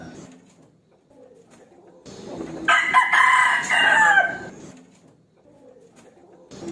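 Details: Rooster issuing a fighting challenge to a rival with a single loud, rasping crow of roughly two seconds, framed by quieter low background noise before and after.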